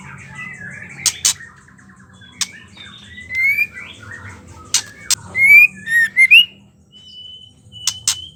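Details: Female white-rumped shama giving ketrekan calls, used to stimulate male shamas to sing: scattered whistled notes mixed with sharp clicking bursts, then bright rising whistles near the end.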